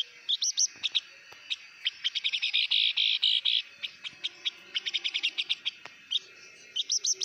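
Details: Blue-winged minla singing in the hót mồi style: bursts of sharp, high chirps and short trills, with a dense rapid run of notes near the middle and quick paired notes at the end, over a faint steady hiss.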